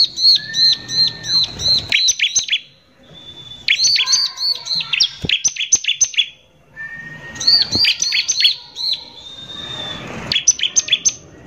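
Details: Bar-winged prinia lure song in the 'nembak kasar' style from an active 'gacor' bird, played to make other prinias agitated. Rapid strings of piercing chirps and sharp trills repeat in bursts, with a faint low whistle between.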